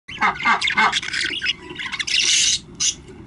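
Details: Budgerigar chicks giving harsh, raspy squawks and chattering calls in quick overlapping bursts, with a long noisy hiss-like call near the end.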